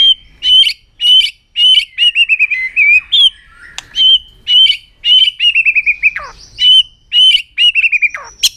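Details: White-rumped shama delivering a super long song with aggressive tail-flicking display to stimulate rivals: loud, steady stream of whistled notes with sharp clicks, fast trilled runs and downward slurs, nearly continuous throughout.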